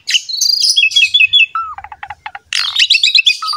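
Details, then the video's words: Singing Asian pied starling as a training model: high chattering notes, a descending series of chirps, a low clear whistle with short clucking notes, then a burst of squeaky jumbled chatter. "MASTERAN BURUNG JALAK SUREN GACOR"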